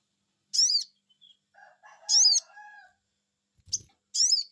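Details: Sogon bird responding to a lure, giving sharp high 'cuiit' notes at irregular intervals, with faint lower warbling and a soft knock in the background.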